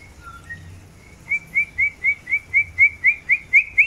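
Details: Long-tailed white-rumped shama being paired for breeding: a few soft level whistles build into a regular series of about twelve loud rising whistled notes, roughly two per second.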